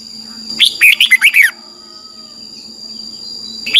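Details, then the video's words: A Red-whiskered bulbul delivers one fast, bubbly phrase of about six slurred whistled notes in its morning training song for wild-caught birds, then quiet with a steady thin electronic hum and the start of another phrase. "Luyện chào mào hót sáng, QUÁ HAY - CHÉ KÍCH BỔI CĂNG ĐÉT, luyện chào mào bổi hót căng lửa"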